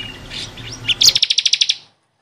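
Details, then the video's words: Bar-winged prinia (ciblek kristal) singing energetically, recorded as training song for caged birds: a few high slurred notes, then a rapid series of about ten sharp, evenly spaced chips. "SUARA BURUNG CIKRIS | CIBLEK KRISTAL GACOR BUAT MASTERAN"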